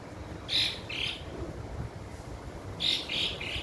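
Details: Swallows calling at Coveñas, Sucre: two clusters of quick, high chirps, each of two or three notes slightly falling in pitch, separated by a quiet gap, over a faint low rumble.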